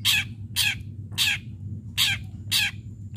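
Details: Long-tailed shrike in sharp fighting-style song meant to draw other shrikes into singing, giving a fast run of six loud, grating, buzzy notes about half a second apart over a faint low hum.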